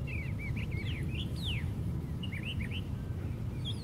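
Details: Brown thrasher perched at the top of a white pine tree, singing a string of quick, varied whistled phrases with some notes doubled, broken by a loud downward slur, against constant low background rumble.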